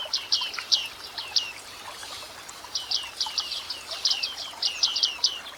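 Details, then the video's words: Bearded reedling moving through dense reed beds in a wetland: bursts of short, high, downward-sliding metallic notes in quick runs, a pause near the middle, then more rapid overlapping notes, as if several birds call together. "Listen to the Bearded Reedling Real Wetland Sounds"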